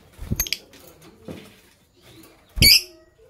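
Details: Green Fischer's lovebird (Agapornis fischeri) pair in a cage in the morning; one sharp, shrill chirp near the end after a few soft thumps and faint, scratchy chatter.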